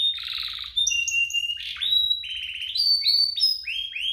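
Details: Pair of canaries singing strongly, meant to spur canaries into song and to tutor young ones: buzzy rattling roll, clear steady whistles stepping up in pitch, then a chain of quick downslurred notes.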